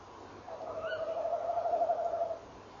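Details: Early-morning tawny owl pair, 18 November 2013, 06:45. A quick, high, rising call from the female is followed by the male's steady, low, quavering trill lasting nearly two seconds. Faint background hiss.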